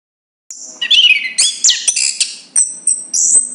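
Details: Chestnut-capped thrush singing a short phrase of high, sweet whistles and quick slurred notes, ending with thin sustained very high tones; a faint low steady hum underneath.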